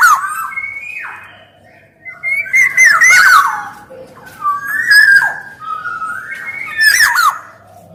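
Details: Black-naped oriole in lively kepodang song, male and female birds, offered as lure and tutor material: liquid slurred whistles sweeping up and down, mixed with rasping, nasal squawks, in phrases spaced about a second apart.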